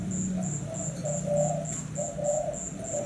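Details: Caged Thai zebra dove of a cream-marked variety cooing in short bursts of low, rolling trilled notes with brief pauses, over a steady high rapid pulsing of insects and low background hum.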